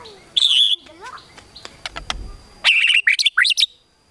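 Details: White-rumped shama song meant to stir up rivals: a high whistled note and a low slur, then clicks and a voice in the background, closing with a quick burst of varied high chips and slurred notes.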